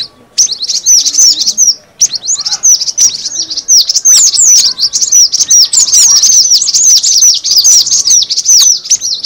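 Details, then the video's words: Cinereous tit lure call: dense, high, sharp downslurred chirps tumble almost continuously, about two or three per second, with overlapping notes suggesting several birds; a brief pause near the start. "suara pikat burung gelatik batu"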